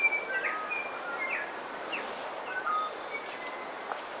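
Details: Bellbirds in a coastal dawn chorus: clear, bell-like whistled notes, some sliding and some held flat, scattered through the clip. A steady hiss of background noise sits underneath.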